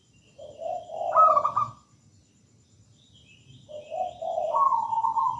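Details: Perkutut, a local zebra dove from the wild, in full song. Two rolling coo phrases sit about three seconds apart, each starting low, jumping higher and ending in a fast purring trill, over faint background hum.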